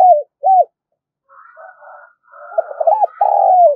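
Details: Spotted dove call used as a lure for trapping birds: two short arched coos, a pause with faint softer cooing, then a run of hooting notes and a long drawn-out coo falling at its end.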